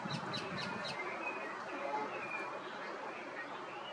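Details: Wild rose-ringed parakeet young being fed by the male parent give four quick, high, scratchy chirps in the first second, then thinner drawn-out squeaks over a steady background hiss.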